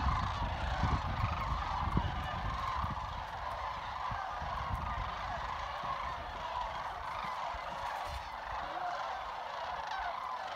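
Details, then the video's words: At Jasper Pulaski Fish and Wildlife Area, a large gathering of sandhill cranes keeps up unbroken trilling and chatting, a crowd-like wash of rolling calls lasting throughout, with some low rumble underneath. "Sandhill cranes trilling and chatting"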